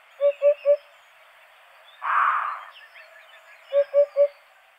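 Eurasian hoopoe giving two soft, low triplets of hollow 'hoop-hoop-hoop' notes, evenly spaced, separated by a brief burst of rustling noise.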